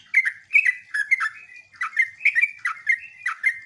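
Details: Lure song of a sooty-headed bulbul, meant to draw replies from other bulbuls: short bursts of chirpy, gurgling notes wavering up and down, grouped in quick clusters with brief gaps, no other sounds.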